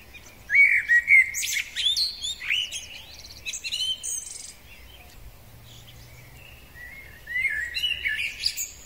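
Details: Male common blackbird singing in spring: rich fluted, warbling phrases with squeaky, high twittered endings. One burst comes early, quieter scattered notes follow, and a fresh phrase starts near the end over a faint low background hum.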